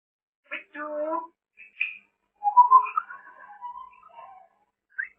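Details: Pet African grey parrot talking and picking up words like a human: short whistled notes and speech-like tonal phrases with gliding pitch, separated by brief silences, in a quiet room.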